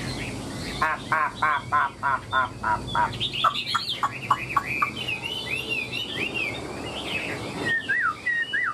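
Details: Chinese hwamei, tail fanned and wings flicking, singing: a series of about a dozen rapid, harsh trilled notes repeated steadily, then a stream of clear whistled slurs that rise and fall, ending in descending whistles.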